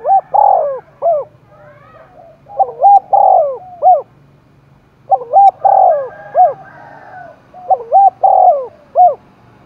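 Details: Spotted dove roused for contest cooing, Dong Nai, Vietnam: loud rhythmic phrases of short bent notes around a long throaty coo, repeated four times, another dove faintly behind.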